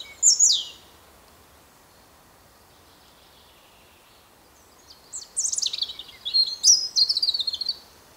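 A European robin sings a thin, high, tumbling phrase of quick trills and sliding whistles, with a brief opening note and a long pause before it.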